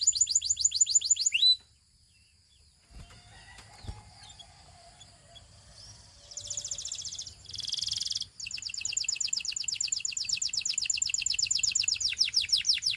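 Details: Russian canary giving a short fast trill, then a quiet gap with faint clicks and hissing bursts, before a long steady trill of rapid falling notes resumes.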